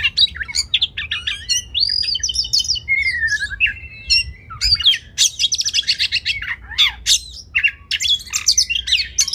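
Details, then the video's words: Oriental magpie-robin in a long song medley for training contest birds: sliding whistles and a descending warbled run give way to loud, rapid, scratchy chatter and bursts of high notes, with a faint low hum. "Masteran Kacer Spesial untuk Burung Lomba"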